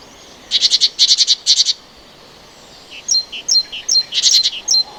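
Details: Great tit (Parus major) song: short, bright bursts of clustered high notes, then ringing two-note phrases, high then lower, repeated several times in quick succession.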